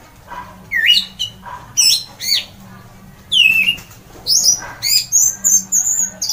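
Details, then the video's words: Loud ngeplong song of an orange-headed thrush, claimed to set other birds singing: varied swooping whistles, then a run of thin, very high squeaky notes repeated rapidly toward the end. "mendengar ngeplong keras anis merah ini"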